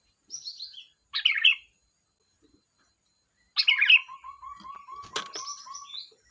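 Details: Kutilang, or sooty-headed bulbul, singing: a high whistle, then two bubbly warbled phrases a few seconds apart, followed by a long steady whistled tone with a sharp knock and another high whistle.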